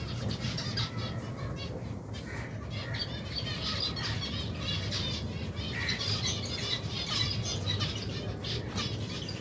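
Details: Many finches, more than 120 pairs with chicks, eating together in a colony in cold weather; busy overlapping twittering and sharp chirps throughout, wing flaps, and a persistent low rumble beneath.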